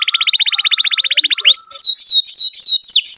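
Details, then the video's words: Canary song played as a master recording for young canaries and birds that have stopped singing: a fast buzzy trill of clipped notes, then a run of clear high whistles that each sweep steeply downward. "SUARA BURUNG Kenari GACOR PANJANG INI"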